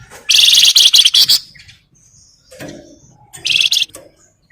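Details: Flamboyan bird in full song, played as a lure to set other birds singing: a long burst of fast, sharp high trilled notes, a pause with faint chirps, then a second shorter rapid trill.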